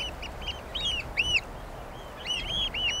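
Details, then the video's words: Eurasian oystercatcher calling in clear, piercing arched notes, a few loud isolated pipes followed by a faster overlapping run. "The song of the Eurasian Oystercatcher"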